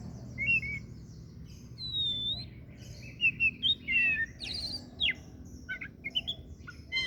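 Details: Varied, lively song of an oriental magpie-robin, known locally as kacer daput: a run of sweet whistles, slurred rising and falling notes, and quick chattering bursts, delivered in a rich, continuous flow over a faint low hum.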